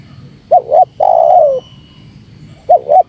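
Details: Spotted dove lure call for baiting wild doves. One complete phrase, a short two-part warble and a long mellow coo that tails downward, then the next phrase begins with its double note.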